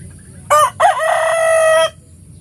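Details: Rooster crowing in the morning: a short harsh opening note, a brief gap, then a long sustained, strained crow held for about a second before cutting off.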